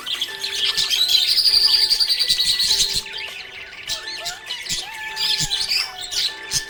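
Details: Happy budgie chattering: a fast buzzy trill for about two seconds, then scattered sharp chirps and clicks, with soft steady tones running beneath.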